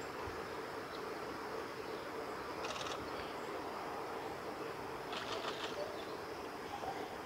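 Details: At Kawaguchiko Field Center on 22 July 2018, a male grey wagtail gives two short bursts of sharp, high metallic calls a few seconds apart, over a steady rushing background like flowing water.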